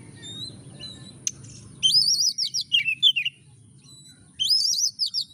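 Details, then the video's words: Oriental magpie-robin in vigorous song, used as a lure to set a lazy magpie-robin singing: loud, rapid whistled phrases that wave and slur between high and mid pitch, in two bursts separated by a short pause, over a low hum. "kacer gacor DOR pancingan kacer malas bunyi langsung ngamuk"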